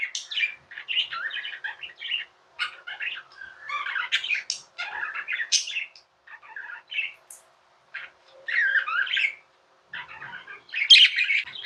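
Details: Pet budgerigars chirping and warbling indoors: dense bursts of buzzy, scratchy chatter mixed with short high tweets, broken by brief pauses, with several birds seemingly calling together.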